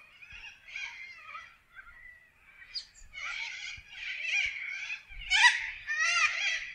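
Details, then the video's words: Several wild corellas in Australian forest chatter and screech, starting softly and building into louder, harsh, grating calls from many birds overlapping. "WILD PARROTS sound - Australia nature - Corella bird in forest"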